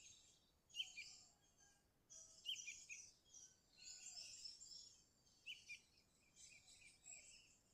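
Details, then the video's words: Sooty-headed bulbul song, used as a lure to call rivals and spur quiet birds into singing; short chirpy, bubbling phrases come in bursts every one to two seconds, with a bright hissing wash of higher sound above them. "Suara Burung Kutilang Gacor Ampuh Untuk Masteran Pikat Kutilang Juara"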